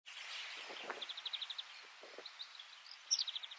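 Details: White Wagtail (Motacilla alba alba) in Soomaa National Park, Estonia, June 2017. Quick runs of short, high chirping notes form evenly spaced series, with a sharper burst near the end. A soft rustling hiss sits underneath.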